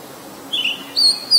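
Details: Oriental magpie-robin, a very common resident, recorded in Ubon Ratchathani, Thailand, on 23 December 2019 with a Nikon P1000: three short, clear, high whistled notes, the later ones pitched higher and slightly drawn out, over a quiet background.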